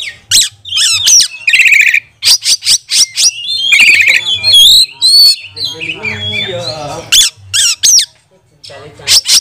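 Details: Oriental magpie-robin in full song, used as a lure to train and provoke other magpie-robins during lockdown: loud rapid bursts of sharp clicks and buzzy trills alternating with bright whistled slurs, over a low steady hum.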